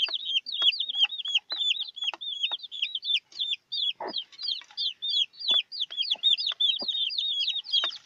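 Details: A brood of newborn chicks with their mother hen: rapid, overlapping high peeps rising and falling in a steady chorus, punctuated by a single low cluck and soft pecking clicks.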